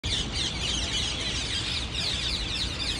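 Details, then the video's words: In Cologne, by the Rhine, Germany, a flock of parrots makes a dense, unbroken wash of harsh, high screeches and chatter over a steady low rumble of background noise. "Parrot Group Sound"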